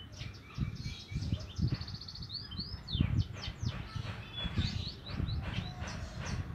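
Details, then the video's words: Juvenile Javan munia practising its chirp, giving quick high downslurred chirps, a short buzzy trill and several arched whistled notes, with constant low rumble and faint thumps behind. "anak emprit kaji belajar ngeriwik"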